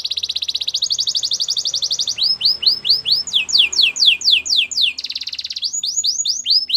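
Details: White canary singing: a fast buzzy trill of rapid pulses opens, followed by a long series of repeated downward-curving whistled sweeps, then another brief trill and more sweeps.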